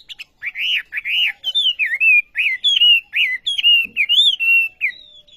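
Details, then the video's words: Olive-backed sunbird sings a lively series of loud arched and twisting whistles, fairly evenly spaced, ending on a long thin high note, with one faint low thump in the background. "Burung Wambi Gacor Khas Sekali Kicauanya"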